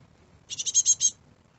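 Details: Young great tit chicks recently fledged in a garden, giving one burst of six fast, rasping, high-pitched notes that grow louder toward the end.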